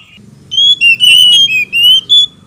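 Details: Oriental magpie-robin song, male and female duetting in reply, meant to rouse other birds; a continuous run of loud, clear whistled notes, some falling and some steady, over a soft low hum.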